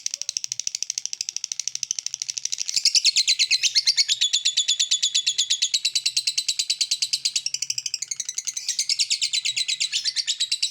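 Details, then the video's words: Lovebird calling, starting with clicking "ngetik" notes and moving into the "ngekek" chatter meant to provoke other lovebirds into answering; a long, fast, shrill rattling series grows louder and continues almost without pause. "Burung Lovebird Memanggil Di sertai Ngekek, Di Awali ngetik lanjut ngekek"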